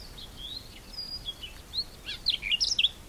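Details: A Sabota lark in Kruger National Park, South Africa, sings thin, sliding whistles that build into a quick, jumbled burst of sharp chips and trills, against a quiet background.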